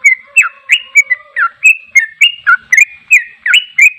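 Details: Fast rolling ropel song from a sooty-headed bulbul, bright whistled notes dipping and rising in quick succession, about three to four per second, with a soft low tone running underneath early on.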